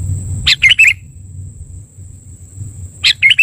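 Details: Sooty-headed bulbul lure call used for trapping: two short bursts of three to four bubbly, chattering notes, about 2.5 seconds apart, over a steady thin high whine and low rumbling background noise.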